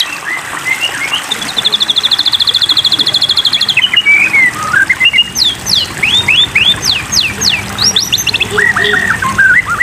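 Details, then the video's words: White-rumped shama song played as a water-therapy training track meant to prompt caged birds to sing: loud, varied whistles, a fast high trill held for about two seconds, then rising and falling sweeps and quick chirped phrases. "terapi air murai batu makin tambah gacor"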